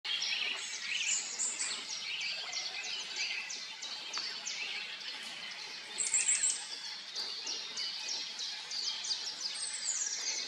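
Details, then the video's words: A pair of Eurasian siskins feeding on small black insects at a pond edge on a very early, foggy morning; dense high twittering and thin chirps run throughout, with a brief louder buzzy trill near six seconds. "Czyże / Siskins"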